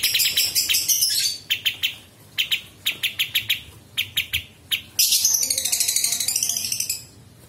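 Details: Sooty-headed Bulbul, recorded as a master for teaching murai batu, cucak ijo and kacer: spaced sharp chips give way to a dense, high, buzzing trill lasting about two seconds.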